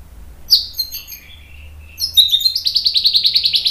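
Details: Lure song of a white-rumped shama, used to excite other birds. Scattered soft high whistles open it, followed by a steady, fast series of sharp, bright notes repeated about three times a second.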